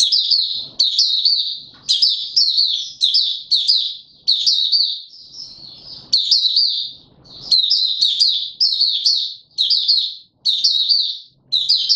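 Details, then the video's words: White-eye, a male being trained for form, singing openly on 31 December 2021: long runs of bright, high, twittering warbles, each burst made of quick slurred notes, separated by brief gaps. "Mata Puteh - Raja V2 Pushing him on form buka sing"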